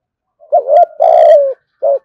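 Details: Spotted dove, a caged pet bird, giving thúc gù cooing: a wavering low hoot run into a long, smooth, gently descending coo, then another short hoot begins.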